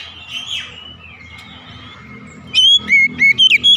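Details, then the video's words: Morning oriental magpie-robin song: faint, muffled whistles at first, then a loud burst of crisp whistled notes with quick pitch jumps near the end. "TERAPI OCEHAN KACER DI PAGI HARI"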